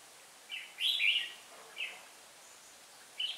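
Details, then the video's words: Decoy red-whiskered bulbul from Hòa Bình, used for trapping and singing in the 'ché' style, recorded 18 December 2016: short bright warbled phrases, one longer rich burst near the middle, then brief separate notes with quiet gaps. "Bẫy chào mào mồi Hòa Bình ché bay xác"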